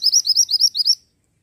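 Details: Pied bushchat singing energetically: a brisk series of about seven loud, high upslurred whistles, evenly spaced, then silence.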